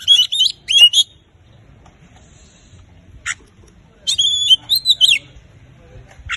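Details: Oriental magpie-robin song meant to set quiet magpie-robins singing: a brief run of twisting whistled notes, then a long pause broken by one harsh note, before a second whistled phrase.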